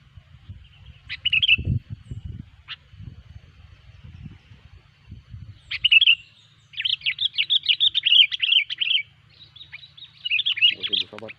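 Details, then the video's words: Lively sooty-headed bulbul song used to lure bulbuls for trapping: scattered short whistles, then a rapid string of about ten chattering slurred notes and another fast burst, with low thumps and rustling beneath. "suara burung kutilang gacor pikat terampuh"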